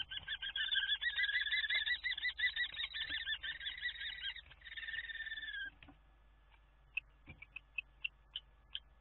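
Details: A common kestrel at a nest in a Scheveningen water tower, Netherlands, on 10 April, gives a long whining, quavering trill for about five seconds. It is followed by quiet, then a few faint clicks over a low steady hum.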